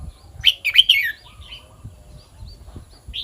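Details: Red-whiskered bulbul song of the kwik-jok-khwai-liang pattern: a loud cluster of sharp, bright chirping notes tumbling downward early on, then quieter soft whistles and one clear note at the end.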